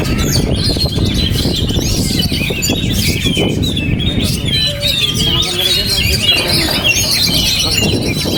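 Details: Strong wind roars around a kept oriental magpie-robin as it keeps up a busy song of sharp whistles, slurred notes and short chattering phrases, with a lower warbled passage near the end.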